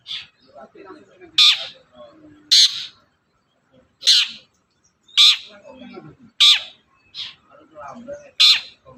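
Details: Long-tailed shrike sound for getting a quiet shrike to sing: a series of loud, raspy descending notes at irregular intervals, mixed with softer chatter between them.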